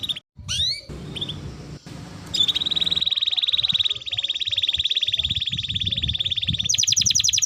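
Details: Canary singing as training material for other birds: after low rumbling background noise and a few short chirps, a long, even, buzzy trill runs for about four seconds, then breaks into quick high repeated notes.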